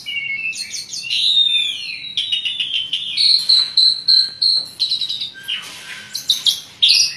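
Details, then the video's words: Asian pied starling in lively varied song meant to coax lazy singers: sweeping whistles, a long steady whistled note, then bursts of clipped harsh chatter and squeaky phrases in quick succession. "jalak suren gacor ngoceh banyak isian"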